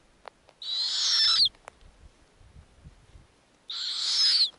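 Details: Snowy owl owlets at the nest in the Arctic while the mother feeds them lemmings. Two loud hissing, rasping screeches about two seconds apart, each ending with a falling whistled tone, with low rustling and handling noises between.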